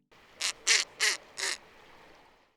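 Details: Snowy owl giving four harsh, raspy barks in quick succession over about a second, each short and grating, against a quiet background; snowy owls bark rather than hoot when disturbed.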